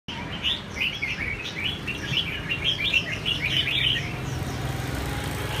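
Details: Red-whiskered bulbul (chào mào) in training; a bubbly run of quick warbled and chirped notes, mid-high and tumbling, continuing for several seconds against steady low background noise.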